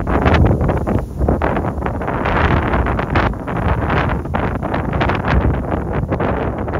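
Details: Strong gusting wind buffets the microphone on a hike in high winds, roaring in surges, with no calls from the geese.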